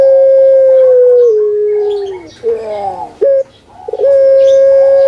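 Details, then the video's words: Kept puter pelung dove of Java, Indonesia, singing its pelung song: a long level whistled coo that slowly sinks, a rough gurgling break, a short sharp note, then another long steady drawn-out tone. "PUTER PELUNG MANGGUNG"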